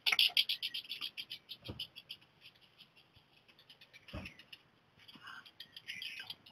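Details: A male black redstart (Phoenicurus ochruros), calling during preening, gives quick runs of high, dry ticking notes, several per second, that fade and return; the eldest of five chicks follows and leaves the nest. Two dull thumps break in.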